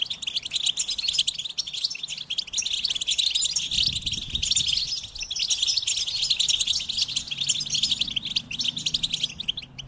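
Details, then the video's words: Goldfinch pouring out a continuous, dense twittering song, fast liquid chirps and buzzy trills running without pause, with a faint low rumble in the background. "Experience the Goldfinch Singing"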